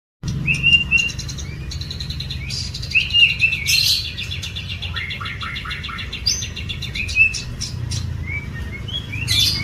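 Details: White-rumped shama singing a varied song of short whistles, buzzy trills and rapid rattling phrases that shift pitch every second or two, over a faint low hum.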